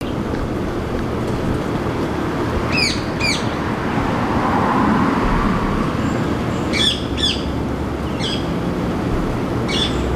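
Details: Male rose-ringed parakeet, introduced but now a resident breeder in Singapore, perched noisily in a Ceylon ironwood tree, gives harsh, shrill screeches, mostly in quick pairs, over ten seconds above a steady low rumble like distant traffic.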